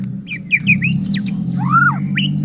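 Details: White-rumped shama song played as a lure to provoke other shamas into singing: a few short sliding whistles, then one long arched whistled note and a brief rising phrase, over a steady low electrical hum.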